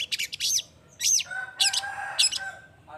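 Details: Loud, scratchy squawks and twangy slurred notes from a long-tailed shrike, a lure to spur other shrikes into song, set over a steady faint tonal hum.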